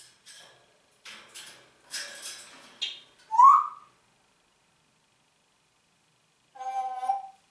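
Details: Congo grey parrot that talks in German, greeting with "Guten Morgen"; scattered speech-like syllables and a loud rising whistle, then about three seconds of silence before a final harmonic, voice-like call.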